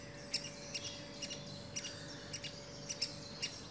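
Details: Adult great spotted woodpecker with young, uttering brisk high ticking notes, single or doubled, spaced irregularly under half a second apart, with a constant low background hum.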